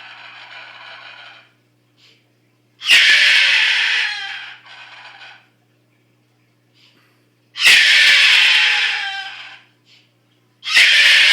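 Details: A pet Moluccan cockatoo, described as very loud, gives three loud, harsh, rasping screams, each lasting one to two seconds, with quieter indoor sounds between them.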